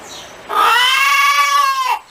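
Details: Hen cackling: one long, loud, harmonic drawn-out note, slightly rising then falling, lasting about one and a half seconds, with a quiet background.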